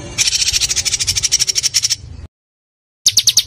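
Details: Small songbird in an Indonesian tutor recording for training pet birds, delivering a dense tembakan burst: very high, rapid metallic notes repeated about three times a second for two seconds, a pause, then another quick run of sharp notes.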